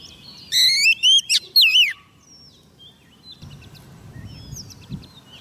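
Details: Female Oriental magpie-robin lure bird singing to summon a male: one strong phrase of slurred whistles and quick chips, then fainter distant bird notes over a quiet background.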